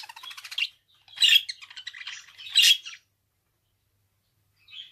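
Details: Rapid pulsed chatter from a budgerigar, with two loud scratchy squawks rising out of busy twittering, then nearly two seconds of silence before one soft closing note.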